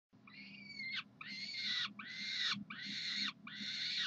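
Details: Peregrine falcons at the University of Calgary calling for food on a Saturday morning, 9 June 2012: five harsh, rasping screams, each about half a second long, repeated roughly once a second over a steady low hum.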